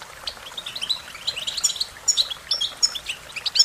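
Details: Sweet, high-pitched warbling from an American goldfinch: quick rising and falling slurred notes and sharp tweets. The notes are delivered in irregular bursts that become louder and more clipped near the end.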